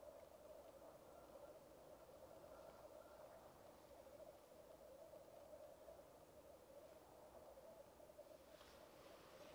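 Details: A dense, continuous rookooing murmur from lekking black grouse, recorded on a Rode Videomic Go, holds steady throughout. A faint hiss flares near the end.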